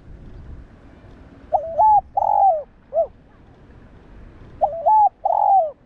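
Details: Spotted dove cooing, used to provoke and train other doves. Two phrases about three seconds apart, each a short note, a fuller drawn-out coo and a short final hoot, with a soft low rumble beneath.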